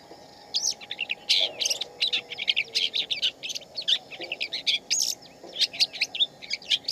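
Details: Wild shama song, dense and lively, with many quick whistled notes and chattery phrases packed closely together. A low steady hum runs underneath.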